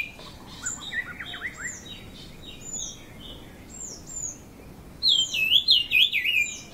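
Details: Brown-cheeked fulvetta at Dongarmatha, Parshuram, Maharashtra, in June, hill forest; high whistled notes and short downslurred phrases, then a louder wavering whistled phrase near the end, over faint background hiss.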